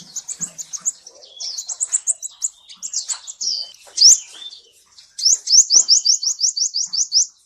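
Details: Sunbird singing as a lure for a quiet bird: thin high twitters and slurred upward notes, then a rapid regular series of about a dozen sharp rising notes at the end.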